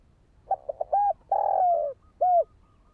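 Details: Spotted dove (Spilopelia chinensis) cooing, a call for rousing and training a decoy bird: three quick stuttered notes, a hooked coo, a long drawn-out falling coo, then a final clear down-slurred note, all mellow and low.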